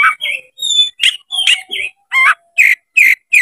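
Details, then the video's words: Oriental magpie-robin singing with its tail opened to goad a rival to fight: quick run of short, rich warbled notes and twangy chirps about three per second, with a few thin high whistles. "MENCARI LAWAN TARUNG KACER CEPAT GACOR DALAM HITUNGAN MENIT DIPANCING KACER BUKA EKOR INI"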